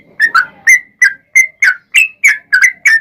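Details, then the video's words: Yellow-vented bulbul song used to lure other bulbuls into answering: loud, bright whistled notes repeated about three per second, each a quick slurred chirp around a steady pitch, sometimes doubled, over a quiet background. "SUARA trucukan gacor ROPEL PANJANG pancingan trucukan agar bunyi"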